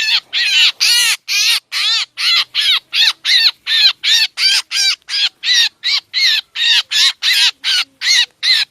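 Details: Black drongo call played to lure birds for trapping: a long, steady run of grating, nasal notes, over twenty in under nine seconds. Each has a bowed, up-and-down inflection. The background is quiet.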